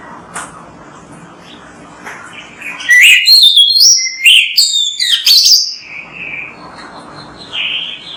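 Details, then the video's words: Kacer, the Oriental magpie-robin, singing vigorously on a recording played to coax captive birds into song: after soft background hiss, three seconds of loud, fluid whistles with sweeping slurs and sharp chips, then quieter drawn-out whistles. "MASTERAN BURUNG KACER GACOR BERSUARA MANTAB"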